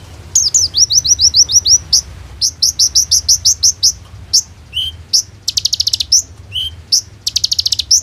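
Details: Van Hasselt's sunbird in full song, captive, loaded with borrowed 'roll tembak' phrases: fast runs of shrill upslurred notes about eight per second, buzzy rattles, lower whistled dips, then dense high trills; used as a lure.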